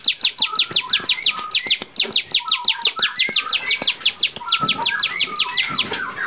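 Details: Bar-winged prinia singing for songbird training, a rapid run of high, clipped downslurred notes repeated about three times a second, with short breaks and softer lower chirps and whistles from other birds mixed in.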